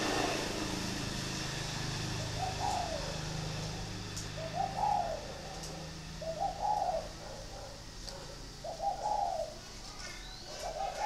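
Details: Spotted dove kept in a cage in Ba Vì, Hanoi, Vietnam: mellow, low coo phrases rising then falling, repeated about every two seconds over a faint constant hiss.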